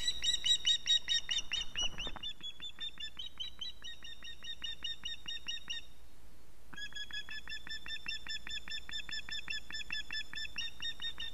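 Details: Webcam-recorded Latvian osprey at its nest, 6 September 2017, begging for fish: loud, fast whistled piping at first, then long runs of evenly spaced, thin chirps about two to three per second, with steady low background hum.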